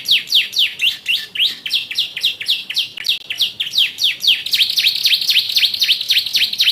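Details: Yellow canary singing with ciblek-style notes: loud, rapid, sweeping chirps that repeat steadily, then merge into a dense, continuous high trill toward the end.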